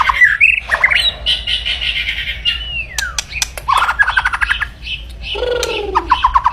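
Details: White-rumped shama delivering loud, aggressive song to provoke rival birds: varied harsh squawks, a long gliding whistle, sharp clicks and rattles, and a lower descending whistled phrase near the end.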